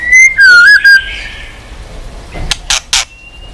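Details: Short burst from a white-rumped shama in training audio for shamas: two or three loud, pure whistled notes with a wavering middle, then faint clicks and a thin high tone.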